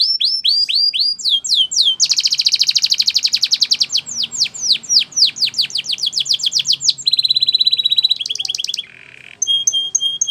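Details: A singing Belgian canary performs a training song. Its long, varied strophe moves through descending whistles, a dense rolling trill, a staccato chip series and a metallic rattle, with brief pauses between sections.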